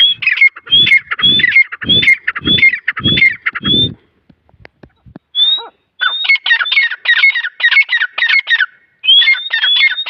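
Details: Grey francolin chicks from Taunsa give rapid harsh squawky notes mixed with high whistled upslurs, in bursts of about six calls, a brief quiet gap, then a faster continuing series.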